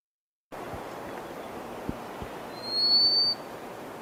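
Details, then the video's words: A short-clawed lark gives its western dialect call, one clear, high, slightly rising whistled note lasting under a second, more musical than the eastern dialect; dialects differ across Polokwane with no geographical barrier. Steady hiss and soft clicks beneath. "And now I'm going to play the western dialect. You can hear short-clawed lark, but it has a very different ring to it, a lot more musical."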